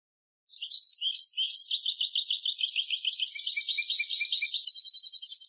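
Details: European goldfinch pouring out a continuous, rapid twittering song of high liquid notes, becoming a brighter, evenly repeated trill near the end; nothing else audible.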